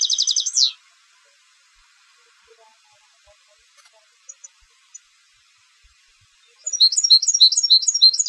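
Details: Competition European goldfinch: a short, fast trill with a downward slur ends one phrase, then a quiet gap with faint clicks, then a new burst of high, liquid, twittering notes.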